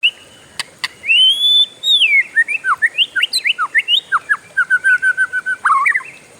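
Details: Kept oriental magpie-robin in a long rolling song: a long rising whistle, then a fast run of sharp slurred notes sweeping up and down, ending in quick repeated chips, over a steady faint high hum.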